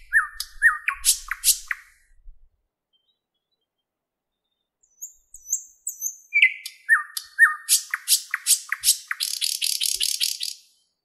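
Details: Thrush nightingale in a Moscow park, May 2016, 08:15. Short whistles and clicks, a silent gap, then a varied burst of slurred notes, sharp clicks and a fast dry rattle at the end.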